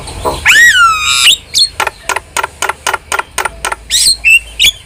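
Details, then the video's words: Lively starling singing, used as a training and prompting recording for caged birds: a long slurred whistle falling then levelling, followed by a run of short harsh notes repeated about four times a second, ending in squeaky whistles. "OCEHAN JALAK GACOR | Masteran Dan Pancingan Yang Cocok Untuk Burung Jalak Anda"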